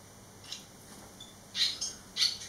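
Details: Barn swallow fledglings eleven days out of the nest: faint distant chirps, then two loud sharp high calls close by near the end.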